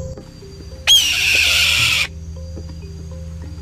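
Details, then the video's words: Red-tailed hawk scream, a loud, shrill, aggressive call often used in films and television in place of real eagle sounds: one harsh, raspy, drawn-out screech lasting just over a second, with quiet music before and after. "Ito ang tunog ng red-tailed hawk."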